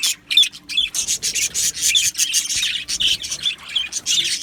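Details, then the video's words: Budgerigar colony in an aviary, singing and chirping: dense, scratchy high-pitched chatter in rapid pulses with small clear whistled notes, almost continuous and with only brief pauses. "Beautiful Budgies Birds Singing and Chirping Sounds"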